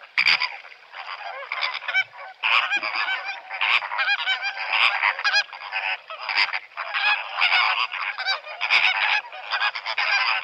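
Greater Flamingos in a flock give a continuous goose-like gabble of nasal honks, many birds overlapping in a dense, rhythmic chatter.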